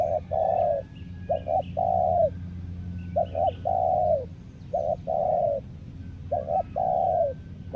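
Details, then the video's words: Cooing song of a lure spotted dove: repeated phrases of two short clipped coos followed by a long, smooth, downward-ending coo, five phrases in a row, with faint chirping of other birds and a low hum. "PIKAT TEKUKUR SI COBRA M3NDIDIH"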